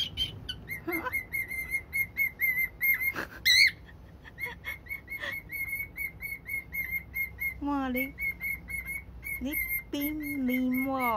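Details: Elderly pet cockatiel singing to a box it otherwise hates: clear whistled notes on one steady pitch, repeated rapidly in runs, broken by a few sliding, wavering tones.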